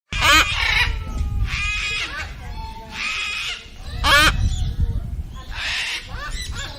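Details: Cockatoo giving loud, harsh screeches in about five separate bursts, each raspy and rich in overtones, spaced roughly a second or more apart, over a steady low rumbling background.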